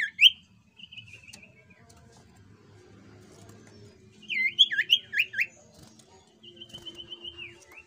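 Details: Jungle flycatcher lure song meant to make other birds answer. A short high whistle is followed by a long drawn whistled note, a burst of rapid looping slurred whistles midway, and another level whistle trailing off. Faint low rumble behind.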